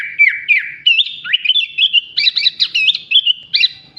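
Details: Sooty-headed bulbul singing a song filled with copied phrases of bar-winged prinia, greater green leafbird and Asian pied starling; a quick string of clear whistled slurs and chirps, some falling, others sharply rising, delivered almost without pause.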